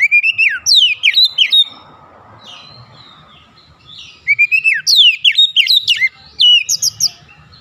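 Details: Oriental magpie-robin singing as a lure to make rival magpie-robins excited and vocal: a held whistle breaking into quick downward-swept notes, then a pause and a second, similar jumbled phrase of bright whistles.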